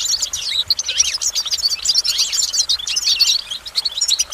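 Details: Close goldfinch singing a rapid run of sweet twitters, rising and falling chirps and tinkling trills without pause.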